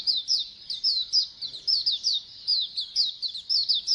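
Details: Oriental white-eyes in a colony, used to prompt other birds to sing more. High, thin twittering notes slur downward in quick overlapping bursts about two per second, forming a dense, continuous chatter with no other clear sounds.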